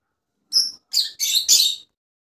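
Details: Rosellas of various colour mutations. Four short, harsh, high chirps follow one another in under one and a half seconds, each a little longer and fuller than the one before. There is silence around them.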